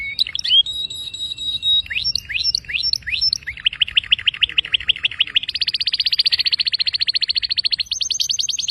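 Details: Canary singing a clear run of varied phrases: quick rising whistled notes, then a fast even trill of repeated notes, then a long rapid trill that jumps to a higher pitch near the end.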